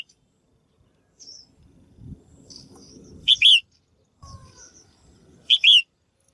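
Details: Female bird's call to prompt males to sing briskly: paired loud chirps, clipped then longer and falling, about two seconds apart, with faint high twitters and low noise between.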